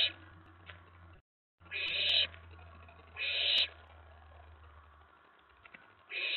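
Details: Owlet in a nest box, night of 19 May 2017, excited as an owl lands on the outside tray following a mouse delivery; three harsh hissing bursts about a second apart over a low steady hum, with a brief dropout.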